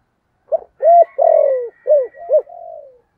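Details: Lure call of a spotted dove in the 'thổ' voice: one short coo, then a long sequence of full, throaty arched notes and a falling drawn-out ending, with a faint thin high tone behind.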